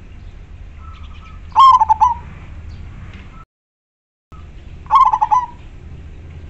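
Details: Two cooing phrases about three seconds apart from a local zebra dove used to lure wild doves, each a loud long note followed by rapid rolling pulses, with a faint whistle before each phrase.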